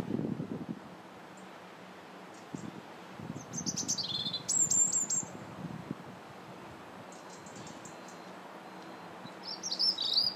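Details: Robin singing on January 21st, in winter: two bursts of high, tinkling, thin notes several seconds apart, with quiet stretches and scattered low rustling and knocks between them.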